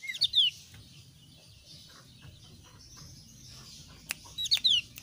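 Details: Thin-browed Javan grey-throated white-eye opening and closing with brief bursts of high, sharp, downslurred chirps, quiet in between apart from a soft hum and faint ticks.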